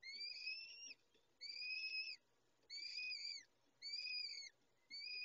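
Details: Peregrine falcon while feeding: five strong, evenly spaced wailing calls, each a level, slightly rising then falling harmonic tone lasting under a second, repeated roughly every second.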